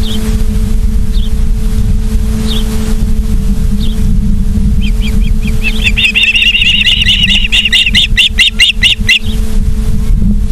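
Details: Ospreys at the nest in Charlo, Montana, on 24 August 2023 at 17:43. Faint scattered chirps, then a rapid run of many high whistled chirps, all under heavy rumbling wind.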